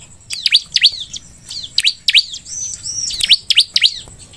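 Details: Bar-winged prinia (ciblek), a singing bird used as a lure to prompt other ciblek to sing: rapid high chirps and sharp downward-sweeping whistled notes in quick bursts, with a thin steady high tone in the background.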